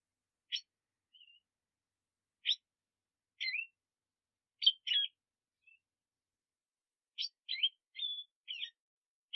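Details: Black siskin giving short, sharp chirps and brief high twitters, spaced one to two seconds apart with silent gaps between.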